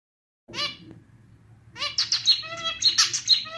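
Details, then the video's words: Pet male zebra finch delivering a clarinet-like song: one brief nasal note, a pause, then a fast tumbling run of buzzy, reedy notes and thin high squeaks. Faint low background hum throughout. "Canto do Diamante Mandarim (estilo clarinete)"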